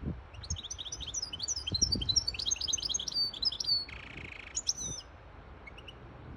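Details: Hybrid European goldfinch singing to tutor fledglings and excite a female to take the mating position; bright rapid twittering of high sharp notes, a harsh buzzy stretch near four seconds, then a short burst of chirps and quiet.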